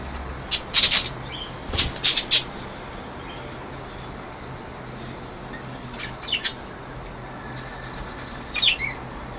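Budgerigar giving harsh, scratchy squawks and chirps in irregular bursts.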